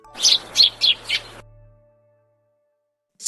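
A sparrow gives four bright, high chirps about a third of a second apart, followed by silence and the clipped start of another sound.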